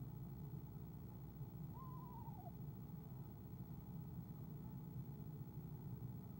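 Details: Eastern screech owl hen on a camera-watched nest, soft trill as the male arrives, February 2015; a single quick wavering descending trill against low continuous hum.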